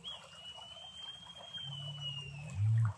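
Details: Male Great Curassow from Costa Rica: a long, very low hum swells into a loud, deep boom at the end. A long, level, high whistle from another bird runs above it, with steady background hiss.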